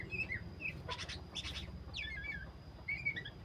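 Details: Black-breasted magpie-robin singing in a vigorous 'gacor' style: short high whistled notes and slurred chirps, with a few broad raspy bursts in between, over a low steady hum.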